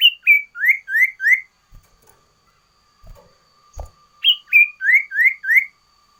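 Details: Sooty-headed bulbul singing a loud varied song: a five-note whistled phrase, two level notes then three upslurred ones, a pause of about three seconds with a few soft low thumps, then the same phrase repeated.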